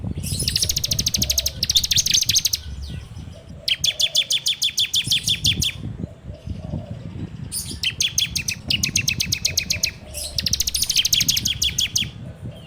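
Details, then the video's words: Ciblek (bar-winged prinia) lure recording from an Android phone: repeated long bursts of very rapid high ticking trills, each a few seconds long, separated by short pauses. "PANCINGAN SUARA CIBLEK TERBAIK FULL NGEBREM RAPETT!!!"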